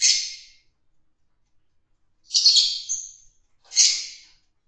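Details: Fischer's lovebirds breeding in captivity, mating in a group; three sharp grating squawks, one at the start and two close together near the end.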